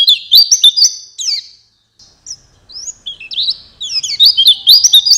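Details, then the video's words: White-eye lure recording for night and morning, meant to prompt birds to sing along: rapid, high, thin twittering warble of quick up-and-down notes, a short break near the middle, then the dense chatter resumes. "Masteran pleci, cocok untuk malam dan pagi, langsung nyaut"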